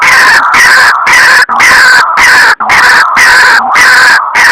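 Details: White-breasted waterhen lure call used for trapping: a loud, raucous run of harsh croaking notes in rapid bursts, briefly broken by two short gaps.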